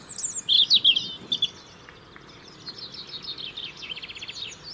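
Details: European robin song, UK, territory held through winter: a few loud sweet high notes early on, followed by softer, quick rippling trills and twitters at the close.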